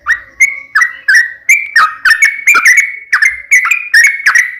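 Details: Fighting-style (tarung, uplik ropel) song of a sooty-headed bulbul: evenly spaced, loud, liquid whistled notes, often paired and slurring up or down, about two or three a second. A faint low hum lies beneath.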